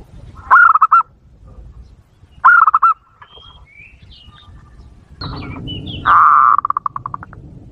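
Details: Zebra dove lure call for provoking wild doves: repeated phrases of a rising note plus quick staccato coos, roughly every two seconds. Later comes a louder, harsher burst of the same rolling pattern, along with scattered high thin bird chirps.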